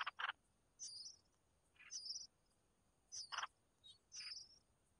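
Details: A red-whiskered bulbul mother feeding chicks: high squeaky whistles alternate with short harsh rasping bursts, repeated roughly every second.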